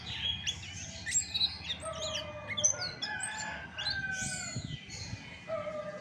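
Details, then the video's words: Chestnut-backed thrush (anis macan) giving rich song: loud swooping whistles, slurred high notes and a few lower mellow tones, in varied phrases with brief gaps. "SUARA ASLI ANIS MACAN"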